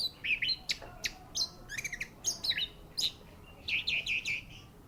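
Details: Varied, choppy song from an orange-headed thrush at a contest ring, with sharp clicks and short whistled twirls delivered in quick, uneven bursts.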